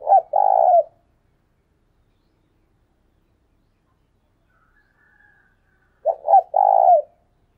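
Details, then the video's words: Spotted dove used as a decoy, calling 'thúc sung'. Two deep cooing phrases about six seconds apart, each with short stuttered opening notes and a sustained, buzzy, vibrating final coo. A faint, soft call sounds in the gap. "Chim cu mồi thúc sung"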